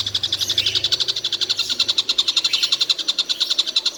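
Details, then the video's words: A collared kingfisher, described as calling tirelessly all day, gives a dense run of clipped high notes at a brisk, even pace, with a low droning hum at the start. "Tengkek buto seharian bunyi tidak berhenti"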